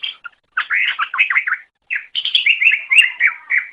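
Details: Greater green leafbird singing as a training master for other birds: fast, fluid sequences of rising and falling whistled notes, mixed chirps, one short gap between two energetic phrases.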